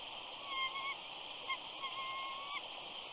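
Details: Female eagle whining at the nest at Big Bear on 14 April 2019 as her mate lands for the morning nest switch, with an eaglet hatching. Thin whistled notes slide and waver, in several drawn-out phrases over a steady hiss.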